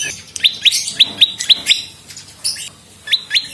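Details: Olive-backed prinia (prenjak lumut) tutor song for songbird training: bursts of quick, sharp, high upward-flicked chirps, paired or in short runs, with brief pauses between groups.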